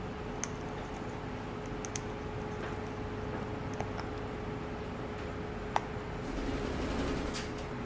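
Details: Scattered taps and clicks sit over a constant low hum and faint room noise, and no animal voice can be picked out.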